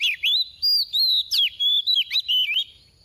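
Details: Oriental magpie-robin decoy singing the soft 'tìu tíu tiu' style meant to excite other magpie-robins into song: about nine loud, clear whistled notes in quick succession, each swooping or bending, then silence.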